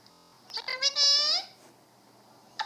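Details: Alexandrine parakeet calling indoors: a loud, harsh, drawn-out screech rich in harmonics that rises slightly and lasts about half a second, preceded by short clicks and followed by a sharp tap, with a quiet room background.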